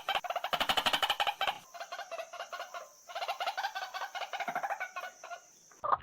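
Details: White-breasted waterhen giving a rapid, rhythmic series of harsh pulsed notes, roughly three per second, with brief pauses between bursts and a steady high hiss behind.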